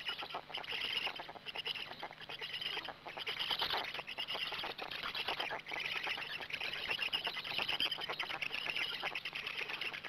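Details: At a Gemenc black stork nest on 13 May 2017, 20:04, an adult comes in and feeds; a long steady wash of wheezy, crackling rasps with fast clicking texture throughout.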